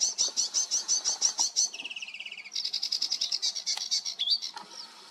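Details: Sedge warbler singing on 28 June 2022: fast scratchy chatter of buzzy high notes, then a level trill of rapid dry notes, followed by another run of harsh repeated units about three per second.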